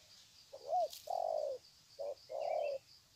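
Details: Low, rounded spotted dove coos used by birds greeting each other on the ground, Sê San, 21 February 2020. A rising-falling short note leads into a drawn-out coo, twice. A faint chirp and steady insect hum sit behind.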